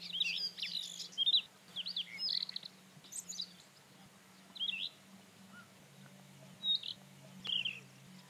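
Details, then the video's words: Varied song of a rufous-tailed scrub robin: rich whistled and warbled phrases with twisting slurs and fast rattles, delivered roughly once a second, over a faint low hum. "Тугайный соловей. Прекрасная песня"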